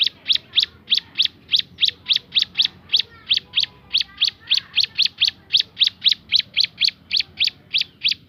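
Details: Ciblek gunung, the bar-winged prinia, in a 'tembakan' song variation: a fast, steady volley of about twenty-five piercing, high chip notes, each short and evenly spaced, with no other clear sounds.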